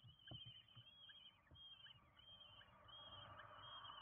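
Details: Common kestrel nestlings, five of them, beg while being fed at their nest in Windsbach, Germany, 27 June 2022: thin, high, quavering calls run almost without pause, with soft low thumps beneath.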